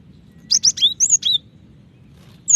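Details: Female cinereous tit calling the male: a quick burst of about seven high, sharp whistled notes, some rising and some falling, over half a second. One more note follows after a pause, over a faint low hum.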